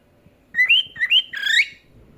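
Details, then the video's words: Cockatiel being trained to sing and talk gives a short clear whistled phrase: two rising slurred notes, then a longer wavering whistle that ends in an upward sweep, heard in a quiet room. "تعليم طائر الكوكتيل الكلام والغناء"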